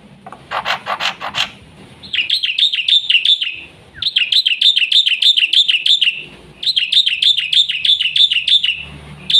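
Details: Fast, full song of a black-winged myna meant to prompt and tutor young mynas: harsh rapid chatter, then three long bursts of rapidly repeated looping whistles separated by brief pauses.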